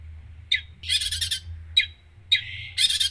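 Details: Long-tailed shrike giving loud harsh rasping bursts alternating with short sharp chips and one sustained buzzy note, part of a full isian song, with a steady low hum behind.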